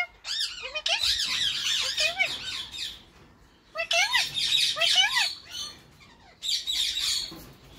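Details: Captive Indian ringneck parakeet pair in spring: the Grey Edged male courts his female with bursts of harsh squawking chatter and looping arched whistles. Three outbursts of roughly two seconds each are separated by brief silences.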